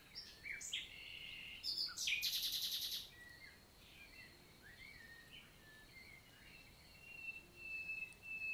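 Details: Nightingale in morning song, Célé valley forest, Lot, southern France, 11 June 2023: varied whistles and a loud, fast stuttering rattle early on, then quieter scattered notes and a thin high whistle near the end.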